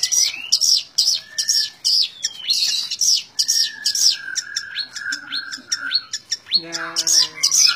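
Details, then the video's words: A long-tailed shrike's continuous tembak ngebren song: a steady stream of quick high chattering notes, with long level whistles running beneath and a lower harmonic, nasal-sounding call near the end. "Burung cendet tembak ngebren"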